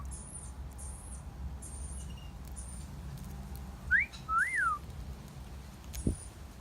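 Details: A single two-part wolf whistle from a pet parrot outdoors in a garden, a brief rising note then a longer up-and-down swoop, amid scattered high twittering of other birds.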